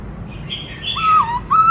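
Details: Brief snatch of black-throated laughingthrush song in its varied, many-voiced style: a faint high thin note, then two loud, mellow whistles that dip and rise.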